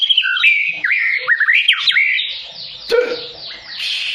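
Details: Fighting-style song of a white-rumped shama provoked by a rival: loud, varied whistled phrases that swoop up and down, then a sharp accent and fast, bright, slurred notes.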